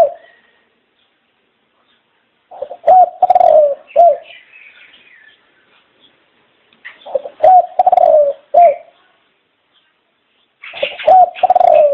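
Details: Dove repeating its cooing phrase three times, a few seconds apart. Each phrase has a stuttering start, a long vibrating coo and a short end note. Faint higher chirps are heard between the phrases.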